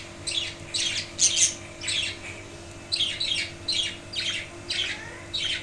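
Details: Caged budgerigars in a wooden cage, calling after the death of the male father bird, with a chick still inside the nest box: harsh, scratchy squawks in quick irregular bursts, repeated about ten times, in a quiet small room.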